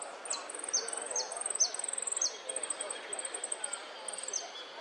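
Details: Saffron finch, locally jilguero (Sicalis flaveola), delivering golpes, pitadas and prio: a continuous run of piercing high chirps broken by crisp down-swept whistled notes roughly once per second, with a faint murmur behind.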